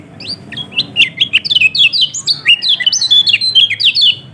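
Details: Yellow-throated white-eye from Lombok, played to prompt a quiet caged bird into singing: a fast run of high, sharp chirps and short slurred whistles, tumbling up and down without pause.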